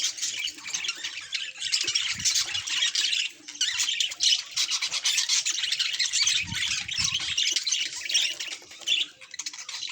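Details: Happy pet budgie keeps up a long, continuous warble: fast scratchy twitters and squeaky chirps packed together, briefly dipping quieter a few times, over faint low knocking sounds.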